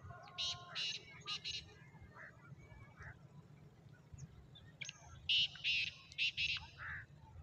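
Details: Black francolin, known as Kala Sindhi teetar, recorded on 14 March 2024; two grating multi-note phrases separated by softer scattered notes, heard over steady low-pitched background noise.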